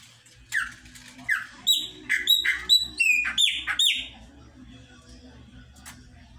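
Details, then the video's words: Chopi blackbird singing: a quick series of loud, ringing whistled notes, the first few slurred downward, then sharp up-and-down notes, about ten notes in three seconds, over a faint low hum. "Pássaro Preto Cantando"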